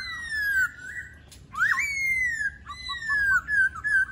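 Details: Laughingthrush singing: long, clear whistled notes with rich overtones, one gliding slowly downward, then a sharp rising swoop into a sustained falling whistle, ending in short upward flicks and steady whistles.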